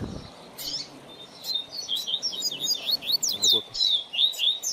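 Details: Rusty-collared seedeater song played for training a young bird: a steady stream of high, bright, zigzagging whistled notes and buzzy trills, after a short low sound at the start.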